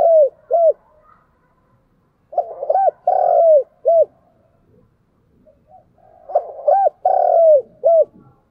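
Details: Spotted dove calling to attract wild doves and make them coo: three repeated low phrases, each with paired short hoots, a long wavering coo and a short final note, separated by brief pauses.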